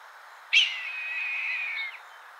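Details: A red-tailed hawk filmed in Kentucky gives one hoarse, drawn-out screech that bursts in sharply and slides slowly downward for about a second and a half, over faint background hiss.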